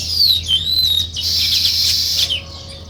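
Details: Sparrows chirping in the morning near weaver birds at their nest: a loud, wavering whistled note sliding downward, followed by a dense, buzzy chatter of overlapping chirps.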